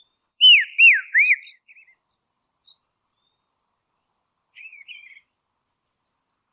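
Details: Call of a dusky robin, Tasmania, Australia: three quick looping whistles trailing into faint twitters, followed after a silence by soft chattering notes and a couple of high thin chips.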